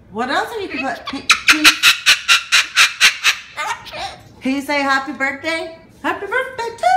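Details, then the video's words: Male pet cockatoo indoors, yelling at his owner for filming him: a run of harsh, broad screeches repeated about four times a second, then drawn-out harmonic squawks, with a person talking and laughing nearby. "Cockatoo YELLS at owner for video taping him!"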